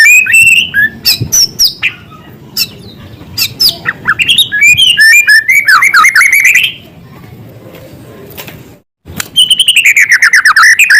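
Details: Varied song of a white-rumped shama with small-bird material: rapid high chips and sweeping whistled phrases, a brief near-silent pause, then a long falling series of bright twittering notes.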